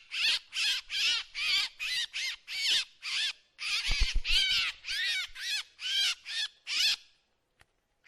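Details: Run of harsh, wavering drongo calls, sometimes shorter and quicker, about two per second, broken by a few low thumps midway. The calls stop and near silence follows at the end.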